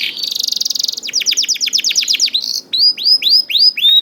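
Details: Young canary (kenari paud) song used as a lure to prompt reluctant canaries to sing: a fast buzzy trill, then rapid repeated downward-sweeping notes and clear rising whistled phrases, all high-pitched and loud.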